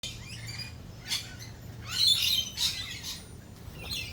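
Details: Lorikeets at a feeding cafe during rolling thunder and lightning, giving bursts of high, harsh screeching chatter, several overlapping calls with louder clusters near the middle and end, over a low steady rumble.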